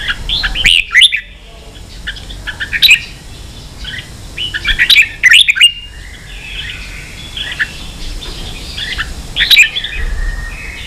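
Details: Red-whiskered bulbul singing in the ché style, used for training young birds to sing: bright whistled phrases with quick warbles, delivered in bursts about every two seconds, with sharp clicking knocks between some phrases.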